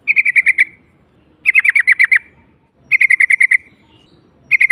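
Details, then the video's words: Yellow-vented bulbul call of the 'ngalas' type, said to coax silent bulbuls into singing: four bursts of six to eight rapid, harsh chattering notes, each burst about 1.5 seconds apart, over a faint low rumble. "PANGGILAN NGALAS YG D SUKAI TRUCUKAN TRUCUK BISU AUTO BUNYI"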